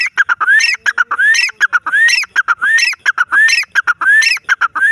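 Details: Wild grey francolin calling without pause: rising whistled notes, each followed by a cluster of harsh clipped notes, the phrase repeated about every three-quarters of a second.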